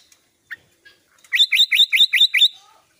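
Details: An albino sooty-headed bulbul gives a quick run of six bright, bubbling notes, each rising sharply, after a few scattered soft chips.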